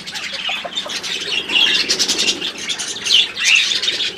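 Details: Budgerigars kept as pets twitter continuously, rapid grating chirps interspersed with a few clear rising whistles.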